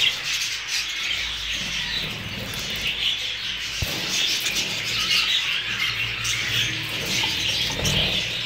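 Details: Hogoromo budgerigars, new birds, chatter continuously in a crowd; an even bed of harsh chirps and warbles carries short bright squeaks, broken midway by one sharp knock.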